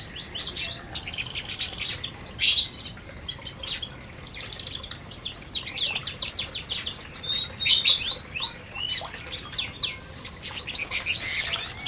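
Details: Canaries feeding in an aviary, many birds at once: dense overlapping chirps and short high twittering notes, some rising sweeps and trills, a busy chorus throughout with a few louder bursts.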